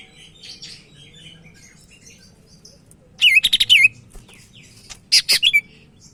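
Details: Sumatran leafbird kept in a cage, in active song: soft warbled high twittering, then two loud rapid trilled bursts of ringing notes about two seconds apart; faint low background hum.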